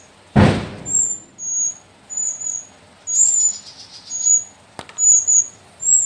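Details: Shrill, thin squeaks from four captive young sooty-headed bulbuls, brought from the slopes of Mount Sumbing, repeat irregularly after a loud knock at the start, with another sharp click later.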